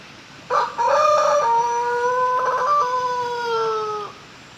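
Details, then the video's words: Pelung chicken crowing: a long, drawn-out crow lasting about three and a half seconds, opening with a few broken rising notes, then holding steady, rich, harmonic tones that slowly fall in pitch before stopping abruptly. "Suara Merdu Ayam Pelung Berkokok"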